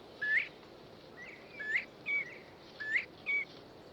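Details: Northern Bobwhite, possibly a male calling for a mate across quiet countryside, whistling clear notes that slur sharply upward, in quick pairs and singles about once a second over a soft background hiss.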